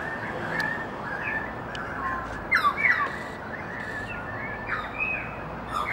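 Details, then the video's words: Currawong family calling together: several loud, ringing, descending whistles and squawky notes over a steady chorus of other birds; Currawong. "Currawong family singing"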